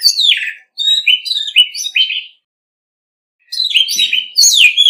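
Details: Orange-headed thrush in a singing contest, delivering a descending whistle, then a string of short warbled notes, and after a silent gap a further phrase of bright falling whistles; quiet background.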